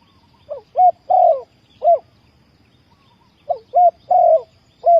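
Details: Spotted dove decoy calling to attract wild doves for trapping: two matching phrases, each a soft rising note, two short hoots, a long rolling coo and a final clipped hoot.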